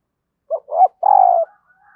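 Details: Spotted dove kept as a decoy, cooing to call wild birds: two quick soft notes lead into a longer, steady, mellow coo that fades out.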